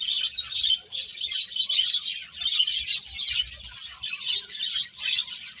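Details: Birds chirping in a dense, continuous chorus of high, rapid tweets overlapping without pause, with a faint low rumble underneath.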